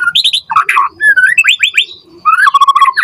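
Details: White-rumped shama in full varied song, meant to draw quick responses from other birds: rich whistles and slurred phrases jumping between low and high pitch, with rapid stuttering note runs.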